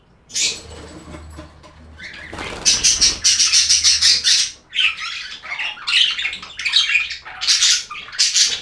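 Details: Budgerigars close by give loud raspy squawks and fast chattering bursts, pulsing in rapid series and then breaking into separate harsh chirps about once a second, with a low hum in the background.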